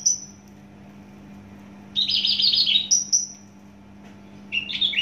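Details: Javan bush lark of Java giving a thin high whistle, a long quiet gap, then a dense one-second rattle of buzzy chirps, two more whistles, and a final burst of quick warbled notes.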